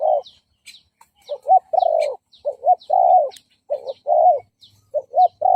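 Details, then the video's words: Spotted dove decoy cooing, used to lure and provoke fighting wild males: low, hollow coos in short broken phrases, some brief and some drawn out, about once a second, with thin high chirps of small birds above. "Chim Cu Gáy Mồi Gù Đấu bổi Cực phê/ Tiếng chim cu gáy đấu nghe thư giãn"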